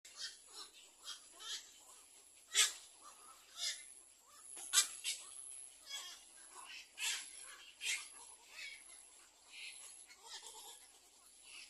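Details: Little egret returning to its nest to tend four chicks; scattered harsh, raspy bursts at irregular intervals, two sharper louder calls near the middle, over a steady high-pitched whine throughout.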